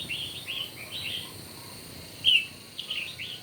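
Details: Morning contest singing from a red-whiskered bulbul, a quick run of warbled, slurred whistles followed by a pause, then one louder sharp note and a few more tumbling phrases.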